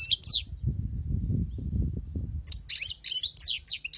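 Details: Wild-caught European goldfinch: sharp twittered notes, a lull filled by low rumbling noise, then rapid liquid chattering song phrases.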